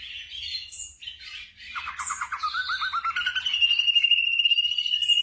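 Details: Black drongo song, played to train caged birds at night: scratchy varied notes, then a rapid series of downslurred chips, then a long, steady, buzzy trill to the end; faint low hum underneath.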